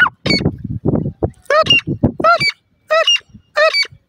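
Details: Female grey francolin calling: loud, harsh, harmonic notes that rise and fall, given in short bursts about every half second, mixed with lower rustling and thumping noises.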